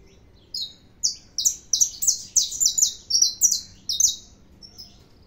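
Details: A saffron finch sings vigorously: a few opening chirps lead into a dense run of high, buzzy, falling notes, some doubled, about three per second. The song then trails into softer high notes on a quiet background.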